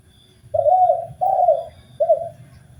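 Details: Spotted dove master recording for bird training: two long soft coos back to back, then a brief clipped coo.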